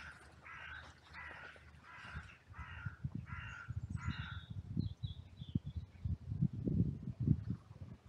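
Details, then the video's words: Crows calling in a cemetery oak grove during hand feeding, with squirrels and pigeons around. Six rasping caws come in a quick even run over four seconds. Then loud low thumps and rustling take over, with faint thin chirps. "Crow vocalizations"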